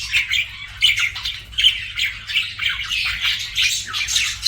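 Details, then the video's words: Pet budgies trade quick, buzzy chirps and squawks in a lively, uneven chatter, with louder squeaks punctuating a steady high warble. "BUDGIE CHIRPING SOUNDS"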